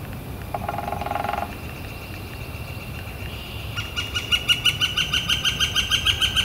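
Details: Northern flicker on a warm, clear spring day, April 28, 2014: a brief low burst from another sound, a quiet gap, then a rapid, regular series of high calling notes building in loudness over the last seconds.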